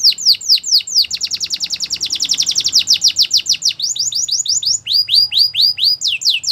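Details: Belgian canary in morning song, delivering a long rapid tour of high down-slurred notes that speeds into a dense roll, followed by slower, evenly spaced sweeping whistles.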